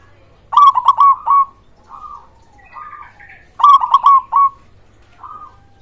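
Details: Loud local zebra dove song used as a lure to prompt quiet doves to sing: rapid bursts of throaty rolling coos with clicky starts, two main phrases about three seconds apart followed by softer echoing coos.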